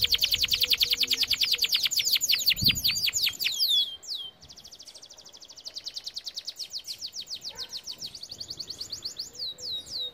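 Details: Canary song for teaching canaries: long fast series of descending chirps and sweeping whistles, a brief pause, then a softer rapid trill repeated evenly at about three notes a second.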